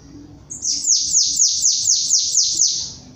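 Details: Chestnut-capped blackbird singing in the 'batendo belga diferenciado' style: a run of about eight high, buzzy notes, each sweeping sharply downward, delivered roughly twice per second, then a thin fading tail; quiet low background.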